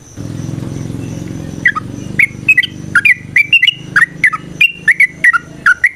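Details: Yellow-vented bulbul in fighting song to provoke a response: after a moment of low hum, a steady sequence of crisp downslurred chirps about two per second.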